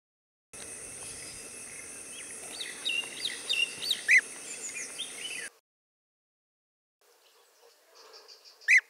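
European bee-eater giving short, liquid rolling calls, with a few scattered chirps over steady background hiss and a brief pause midway.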